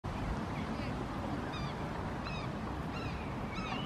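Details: In a park in Helsinki, Finland, in June 2018, among barnacle goose families with downy chicks, a barnacle goose gives short, high, yapping calls about once every second over a steady low background rumble.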